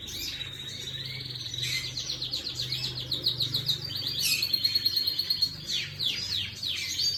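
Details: A canary sings on 11/5/25, running rapid repeated chirps into fast, evenly spaced trill bursts. The later phrases are louder and sweep downward. Low hum beneath.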